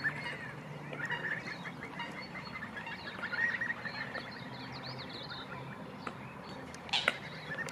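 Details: Many scaup (diving ducks) together in New Zealand in spring breeding season, more vocal than usual, give soft, rapid chortling and thin whistled notes in a steady run; a distant chainsaw hums behind, with a sharp knock near the end.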